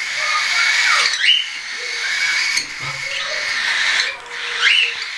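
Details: Hand-tame young cockatiels, some not yet weaned, in flight on 10 September 2012; two distinct rising whistled calls stand out above a steady background chatter of other birds.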